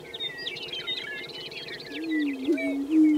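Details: Prairie chickens lekking at Fort Pierre National Grasslands, South Dakota, give a chorus of quick cackling chirps over low, wavering hoots that swell toward the end; several birds call at once.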